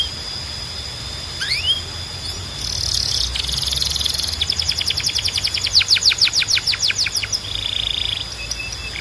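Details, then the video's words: Canary song, loud and clear over a steady background hiss: a few rising whistled notes, a buzzy trill, then a fast rolling series of repeated notes ending in a brief buzz. "Ultimate Canary Singing Compilation – Loud, Clear & Relaxing Sounds"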